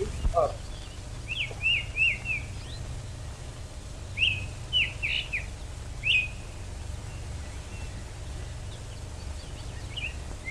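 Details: A wild Rose-breasted Grosbeak (Pheucticus ludovicianus) sings in Stewart Park, Ithaca, in May 1929, perhaps the first recording of a wild bird: short, sweet, warbled phrases rising and falling every couple of seconds over the low hum and hiss of an old recording.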